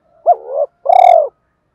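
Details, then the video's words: Spotted dove giving a challenge call in the thổ voice style, meant to provoke fighting: a short rising-falling coo, a pause, then a longer, louder, buzzy, pulsing coo that slides slightly downward. No other sounds. "cu gáy giọng thổ pha thúc đấu + gáy gọi, tiếng thúc đấu rút bổi căng đét"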